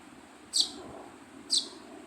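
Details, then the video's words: A young sparrow gives two thin, high, sharp chirps about a second apart over a faint low background hum. "Baby Sparrow Chirping Sound"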